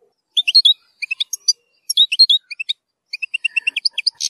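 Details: Zilzal-style European goldfinch song for tutoring young birds, with strong nahrat passages: quick liquid twittering phrases of bright high notes, then a fast run of chips ending in a buzzy note.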